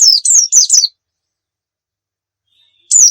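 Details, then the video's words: Oriental white-eye singing, intended to tutor other birds: four quick high, falling chirps in under a second, a two-second silence, then one more bright downslurred note; clean recording. "suwara burung pleci gacor cocok buat masteran"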